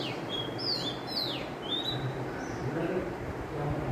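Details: Mother Oriental magpie-robin perched on a wire fixed to a coconut tree, singing bright whistled phrases with sharp falling slurs and short rising notes, set against low background hum and soft murmuring.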